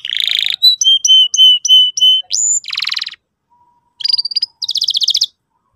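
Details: Canary song used as a lure to teach a young canary to sing: a rapid buzzy trill, then a series of repeated whistled notes with upward flicks, a rising slur, a fast rattling buzz, a brief pause, then another sharp trill and a dry, fast rattling phrase.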